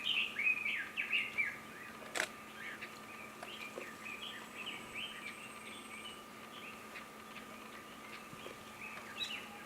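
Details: Red-billed leiothrix singing while bathing in Nagasaki Prefecture, Japan, on 22 April 2019: a quick run of bright, warbling chirped notes, loudest early on, then softer chattering phrases. A steady faint hum and background noise continue throughout.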